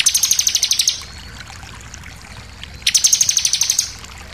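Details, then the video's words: Intense 'shooting' song of the bar-winged prinia, with variations, for tutoring captive birds: two rapid trills of evenly repeated high chirps, each about one second long, separated by a short pause. "SUARA CIBLEK NEMBAK NGOTOT + VARIASI"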